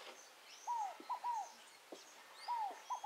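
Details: In nature near Tupi Paulista, São Paulo state, a scaled dove repeats its mellow three-syllable song: a drawn-out descending coo, a brief clipped note and a second descending coo, with soft high twitters from other birds behind.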